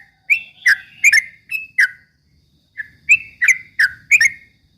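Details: Bait song of a yellow-vented bulbul, rapid 'ropel' type, for provoking rival birds: two short clusters of sharp, slurred whistled chirps with a gap between them.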